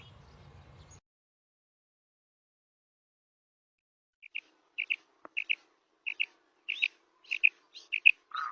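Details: Female common quail calling, a recording used to lure quail for hunting in ripe wheat. After a brief burst of noise and a long silence, paired high whistled notes repeat roughly twice a second, with a faint click among them.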